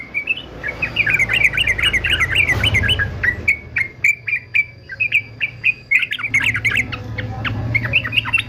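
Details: Male fighter yellow-vented bulbul for training other birds, giving dense chattering warbles, then a series of separate bright chirps, then another bubbling burst of rapid notes; low hum throughout.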